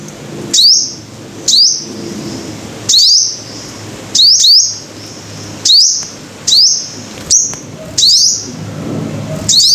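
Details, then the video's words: Five-coloured sunbird repeating short shrill notes, a steep upward sweep ending in a brief steady tone, roughly every second with uneven spacing; a steady faint very high hiss and low background hum. "Tiếng chim hút mật 5 màu"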